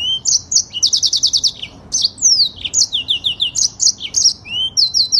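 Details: Yellow-fronted canary, an imported canary from Africa, singing a long rolling song at a fast, tight pace: rapid high trills and repeated downslurred notes in quick phrases with brief gaps, on a quiet background.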